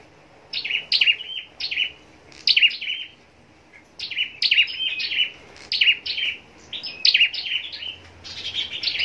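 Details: Contest-trained scarlet-backed flowerpecker in a cage, singing short, sharp bursts of high ticking and twittering notes, about nine bursts spaced by quiet gaps, tempo quickening toward the end.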